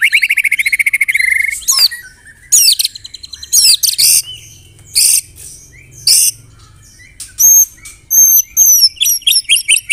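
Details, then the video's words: Caged white-rumped shama trained with canary-style fill-in phrases: a rapid high trill, then sharp loud chattering notes in separate bursts and a closing run of clear upslurred whistles repeated quickly. "MURAI BATU ISIAN KENARI, CILILIN SUPER NEMBAK"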